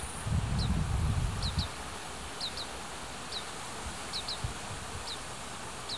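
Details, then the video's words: Fledgling Oriental greenfinches beg food from parents in Hiratsuka, Kanagawa, Japan. A heavy burst of wind buffeting opens, then thin high descending calls continue singly and in pairs at uneven intervals. "カワラヒワ 巣立ち雛が餌をおねだり"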